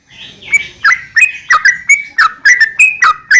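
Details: Sooty-headed bulbul giving a lure song to draw other bulbuls into singing: a steady series of separate whistled notes, a few slurring up or down, about three each second.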